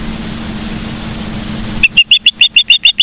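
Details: Charlo, Montana ospreys, midday on 15 September 2023: a low hum, then a sudden string of shrill, evenly spaced whistled chirps in the final second.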